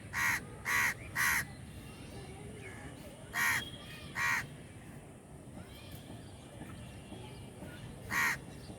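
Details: A crowd of crows calling: harsh, loud caws, three in quick succession, then a pair about a second apart, and one more after a long pause, over steady background hiss with faint other bird notes.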